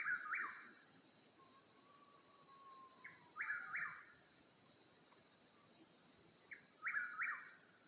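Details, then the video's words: Eastern whip-poor-will calling at night in the Oklahoma mountains, wild, its three-part whistled phrase rising and dropping, repeated about every three seconds, over a steady high insect drone and soft night ambience. "Night Sounds of Oklahoma Mountains: Whippoorwill Serenade"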